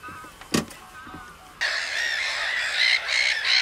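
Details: Common cranes: after a quiet start with a few faint notes and a short burst, a dense chorus of overlapping harmonic calls begins at about 1.6 seconds. The calls are loud and rasping, and they continue steadily to the end.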